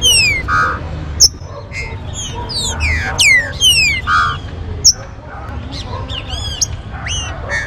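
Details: Green-winged saltator warm-up song meant to excite captive birds into singing: loud, clear whistled phrases sweeping up and down in quick bursts, with sharp clicks and a low background hum.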